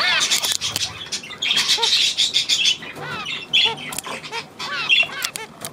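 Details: Budgerigars recorded 9 February 2024 produce bright, buzzy warbling with repeated short arched chirps and squeaky whistles, in lively bursts of chatter.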